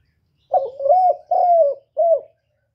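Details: Spotted dove giving a low, mellow cooing call: a rolling double coo, then a longer drawn-out croo, then a short final coo, each phrase slightly falling, about three seconds in all, with a clean, quiet background.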